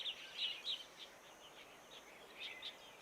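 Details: Daurian redstart (Phoenicurus auroreus) perched close at Long Valley, Hong Kong, a winter migrant there, giving short, high chirping call notes in quick clusters, with a faint steady high-pitched insect hum behind.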